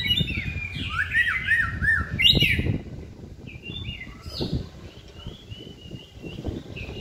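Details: Caged white-rumped shama in singing training: a quick run of looping whistled notes and harsh bursts, then softer, sparse whistles over strong low rumbling background noise.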